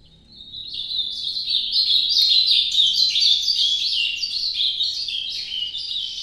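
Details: Song of an Ultramarine grosbeak in the Nordeste style, starting softly and swelling into a long, fluent warble of rapid slurred notes jumping between high and slightly lower pitches.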